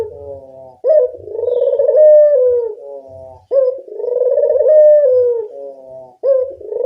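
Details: Local collared dove lure call: three long rolling coos, each opening with a short rough note and then a sustained purring tone that sags slightly, repeated roughly every two and a half seconds, with a few soft thumps below.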